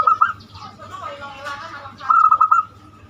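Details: Zebra dove giving banyumili song, used as a lure for other birds: a short run of staccato coos, a murmur of voices, then another quick pulsed coo phrase.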